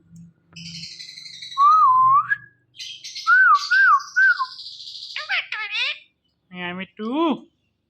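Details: Talking pet ring-necked parakeet imitating sounds: clear wavering whistles, then harsh buzzy notes and short nasal squawks, heard indoors with a person repeatedly saying a word and brief music.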